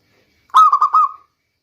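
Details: Local zebra dove recorded as a lure sound in the rainy season: one compact phrase of four fast, trilled coo notes that fades out smoothly.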